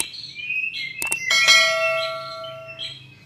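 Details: A champion white-rumped shama sings a rich song: clear, high whistled phrases open and close the passage, broken midway by a ringing, bell-like tone that holds and slowly fades.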